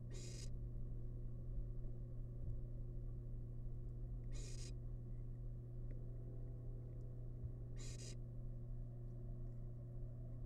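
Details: Nest-box barn owl chick, wild, at a feast of rabbit leftovers, repeats a coarse hissing screech three times at roughly four-second intervals above a continuous low-pitched mechanical drone.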